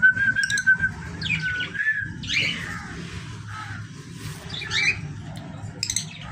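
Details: Pet parrots making scattered harsh squawks and short chirps over a steady mid-pitched whistled tone, with a low background hum throughout.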